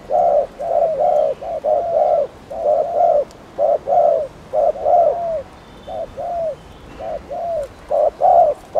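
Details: Spotted dove cooing meant to excite other doves, a long continuous run of low hollow coos in clustered pairs, loud at first, then softer and more spaced, then loud again.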